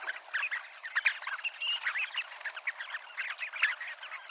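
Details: A crowd of Dunlin at Abruñeiras, Noia, fills a few seconds with thick chattering calls and a drawn-out, thin whistled note partway through.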